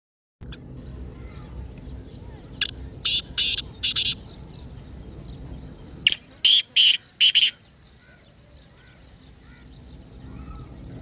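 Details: Partridge call played to excite a silent kept partridge into calling: two phrases of three and four harsh, buzzy notes, high-pitched and evenly spaced, with a quiet pause between the groups.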